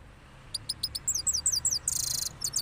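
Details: Cross goldfinch after its moult, Parachinar, giving a softer rolling song: spaced high chirps that quicken into a fast twitter, then a brief harsh buzzy burst and a few closing notes.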